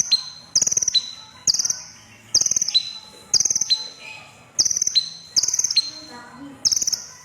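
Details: High, sizzling trills from a crimson sunbird, each burst a fast run of pulses ending in a thin whistle, repeated about eight times at an even pace.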